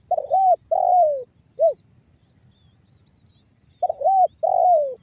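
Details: Spotted dove in 'banggo bocor' call style, a lure to get other doves cooing: a two-note coo ending in a short rounded hoot, then a pause before the next phrase begins.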